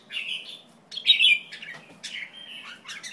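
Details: White-tailed jambul uttering drawn-out, grating, slightly wavering notes, one loud and rough near the first second, followed by softer buzzy slurs.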